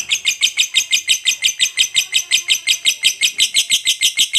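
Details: Fighter lovebird giving a ngekek panjang to anger other lovebirds: a loud shrill chattering trill in regular rhythmic bursts, roughly five pulses each second, steady and unbroken throughout.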